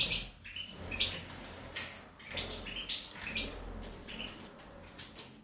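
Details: Carduelis carduelis major from 2019 singing a lively twittering sequence of short high notes and buzzy chirps, varied in pitch, repeating about once a second over constant background noise.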